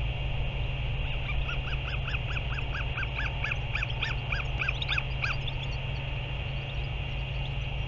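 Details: A Northern royal albatross on 30 March 2023 gives a run of about fourteen short, honking, arched notes, three or so per second, over a steady low rumble of wind.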